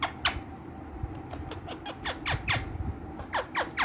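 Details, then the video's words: Green ringneck parrots, kept as playful pets, repeat brisk downward-sweeping squawks, roughly three each second, varying in loudness over a steady background hum. "Funny Ringneck Green Parrots | Dancing And Talking Parrots | So Playful And Active Speaking Parrots"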